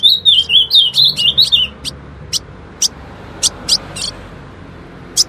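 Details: Female ultramarine grosbeak singing, intended to set males off: a run of rolling, warbled whistles for under two seconds, then isolated sharp high ticks spaced about half a second apart.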